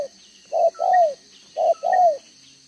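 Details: Vietnamese decoy spotted dove with a two-row spotted neck collar, cooing in the 'đồng gáy 1 hậu' style, 11/6/2023. Two low coo pairs: a brief note followed by a longer, downward-sliding one, with soft high chirps in the background.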